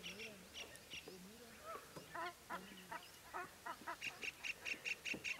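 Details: Red-wattled lapwing in Sariska Tiger Reserve, Aravali Hills, gives a burst of sharp, high, repeated alarm-type notes, about six in quick succession, after a stretch of low human voices talking.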